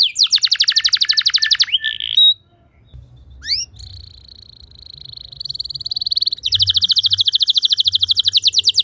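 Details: Lure song of a canary for teaching others to sing: a rapid buzzing trill, brief rising whistles, a long steady high note, then a fast, even, rattling trill to the end.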